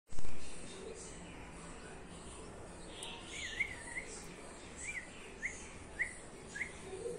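A young red-whiskered bulbul gives thin, slurred chirps about every half second. They are faint against a steady background hiss, after a thump at the start.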